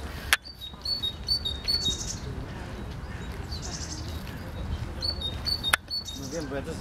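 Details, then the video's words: Great tit song of quick high see-saw two-note phrases repeated in short series, interrupted by sharp clicks, with a soft hiss and murmuring human voices in the background. "Sikorka Bogatka i jej piękny śpiew"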